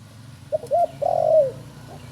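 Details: Spotted dove, a youngster just learning to call, gives a short phrase: a couple of quick soft notes, then a drawn-out, gently descending coo lasting about half a second, over low background hum.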